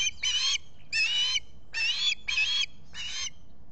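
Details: Squawking osprey on its nest at Salt Point, Finger Lakes, US, early morning of July 23, 2021, solar nest camera: five loud, harsh, rasping squawks, each about a third of a second, spaced evenly with brief pauses.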